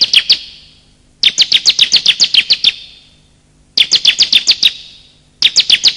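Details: Bar-winged prinia calls, male and female, for luring birds that have gone quiet and for trapping in the wild: four bursts of rapid high chirps, the longest about eleven notes, echoing after each.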